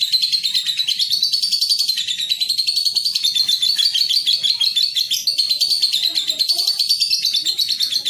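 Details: Long ngekek chatter from a young lovebird in a song-training recording: an unbroken, very fast, high rattling trill holding a steady pitch with slight wavering, sustained for over eight seconds.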